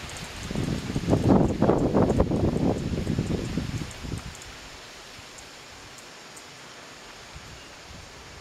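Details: Loud rustling and handling noise for about four seconds gives way to quiet background hiss, with no animal calls.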